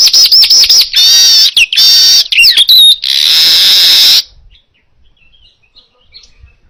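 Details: Baya weaver singing, recorded for training other birds: rapid whistled notes run into loud harsh buzzing phrases with slurred twists and a thin high whistle, then a long wheezy buzz before falling silent.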